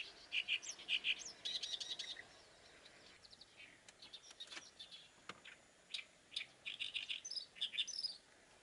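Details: Oriental reed warbler song in uneven phrases of scratchy, chattering notes, loud bursts at the start and end separated by a quieter stretch with faint clicks and rustles.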